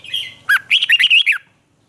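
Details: Red-whiskered bulbul from Thailand, caged bird song in the southern master-pattern style, played to excite caged birds and teach young ones: one bubbly phrase of rapid slurred, warbled whistles after a short lead note, then quiet.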